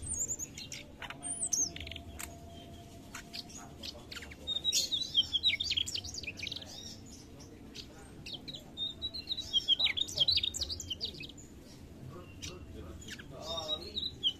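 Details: Mugimaki flycatcher in persistent song, bursts of quick high warbling twitters and sharp ticks separated by short pauses, over a faint steady background hum.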